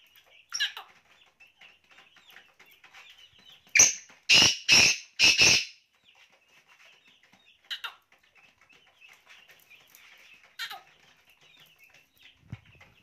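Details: Black francolin in Pakistan: a burst of four loud, harsh, grating notes in quick rhythm, with a few isolated rasping notes before and after, against quiet soft chirping in the background.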